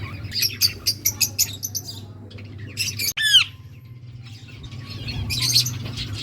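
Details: Budgerigars chirping to each other: bursts of rapid, buzzy, high warbling notes, a loud downward-sweeping squawk near the middle, then more chattering chirps; low steady hum underneath.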